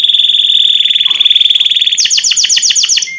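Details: Canary song used to tutor birds: a sustained, evenly pulsed high trill slides slightly lower, then breaks into sharp downward-sweeping notes repeated about four times a second.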